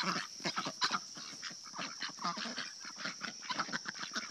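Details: Several pet ducks chatter excitedly while getting their morning treats. Quick, clipped nasal notes follow one another several times a second, with some brief louder bursts, over a constant high-pitched hum.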